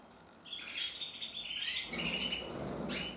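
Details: Red-mosaic isabel canary cock, 2024: high warbling and whistled trills starting after a short quiet, with a low rumbling noise underneath later on.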